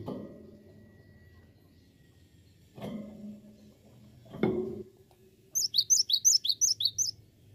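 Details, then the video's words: Cinereous tit song: after a few dull knocks and thumps, a fast string of high, clear two-part notes repeated about three times a second for nearly two seconds. "Awas Gelatik Batu anda Ikut Gacor"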